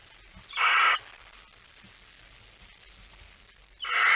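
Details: Barn owl, night of 17 September 2019, male arriving with a mouse: two harsh hissing screeches about three seconds apart over a quiet background.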